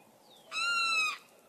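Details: Limpkin giving a single loud, harsh, wailing call about half a second long, held level and rich in overtones, with a faint thin whistle just before it against a quiet background.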